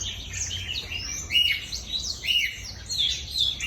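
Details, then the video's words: Black-throated canary singing vigorously, a lure recording: a rapid, high-pitched chattering warble with repeated swelling bursts of sweet trilled and slurred notes about once per second, over faint low noise. "PANCINGAN BLACKTHROAT GACOR"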